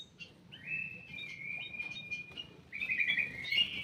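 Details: Ruby-throated bulbul housed in a private aviary: a level whistled note held for about two seconds, then a louder trilled, rippling phrase over soft background noise.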